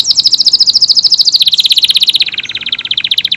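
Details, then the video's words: Canary of AF type delivering a tight, continuous trill of rapidly repeated notes, slowly sliding lower in pitch over a few seconds. "KENARI AF GACOR, durasi panjang tembakan rapet pas buat isian Murai, Kacer dan burung lain"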